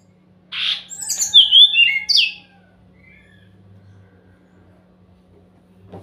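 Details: Brown-chested jungle flycatcher song used to provoke reluctant birds into answering: a burst of quick, high, twisting whistles and slurs lasting about two seconds, then near silence with a faint low hum.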